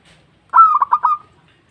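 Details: Single brief phrase from a local zebra dove calling to others: one higher opening note sliding into three quick, punchy coos that end in a short trailing purr, against near silence.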